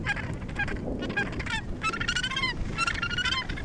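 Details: Australasian gannets at the Point Danger gannet colony near Portland, Victoria, Australia, give harsh, grating, overlapping calls in quick bursts, several birds at once, over a steady low roar of wind or surf.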